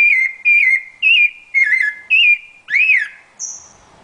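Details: Rufous-bellied thrush, Brazil's national bird, giving rich warbled whistles in measured phrases, a louder rising-falling note near the end, then a thin high whistle fading out.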